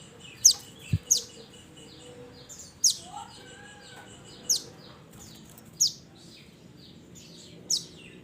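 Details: Mountain mantenan calling its companions: piercing high chirps dropping sharply in pitch, spaced one to two seconds apart, with a brief lower whistled note midway and a single soft thump.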